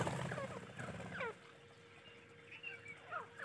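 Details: Grey francolin chicks giving thin, sharply descending peeps in quick bursts, a few closely spaced notes followed by a pause and another short falling call, over a low rumbling background.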